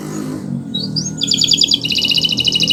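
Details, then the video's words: Nusantara canary in full song, used as a master recording to teach other birds: a thin rising whistle, then loud, fast buzzy trills in rolling high bursts with a brief shift in pitch, over faint low hum. "Suara Burung Gacoran Kenari Nusntara, untuk Masteran Belajar Bunyi"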